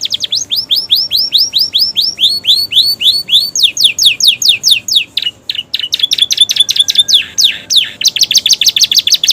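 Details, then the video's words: Canary singing with bar-winged prinia and sooty-headed tit imitations: a long run of rising whistled sweeps repeated several times a second, shifting to falling sweeps and ending in a dense, very fast trill. "kenari romeo gacor isian prenjak ciblek"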